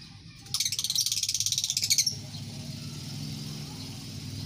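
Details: Shrill lovebird chatter from a colony, a fast pulsing trill of high notes lasting about one and a half seconds, followed by steady low background noise.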